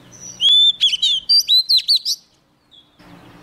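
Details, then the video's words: Short burst from a young Oriental magpie-robin reacting to a nearby wild bird: a bright whistle, then a rapid series of sharp warbled notes, ending in quiet with a faint low hum. "Choè than non lên hót cực sung khi bổi đến gần"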